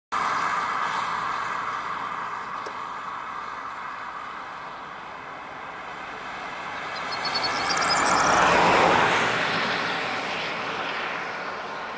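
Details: Steady vehicle noise rumbles throughout, swelling as something passes near the eighth second, with no clear animal voice.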